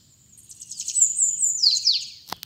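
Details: A sibite, or bananaquit, delivering its 'trica ferro' song, 'pitxiu pitxiu': a shrill, high-pitched rapid buzzing trill that builds, then drops in quick slurred downward whistles, followed by a sharp click and a softer click.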